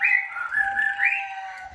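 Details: Captive black cililin kept in a house, loud enough to be heard beyond 30 metres and used as a tutor bird for other birds, singing a continuous run of warbled, slurred whistles that rise and fall.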